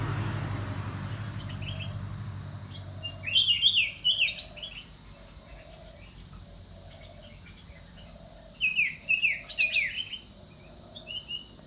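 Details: Common iora uttering two clusters of quick, jumbled high chattering notes several seconds apart, while a soft lower note repeats steadily in the background.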